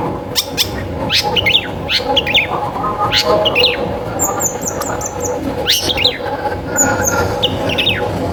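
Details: Long-tailed shrike song used as a prompt for other shrikes: scattered sharp clicks and chattering notes, with a brief thin high trill in the middle and further scratchy phrases near the end, over steady noise.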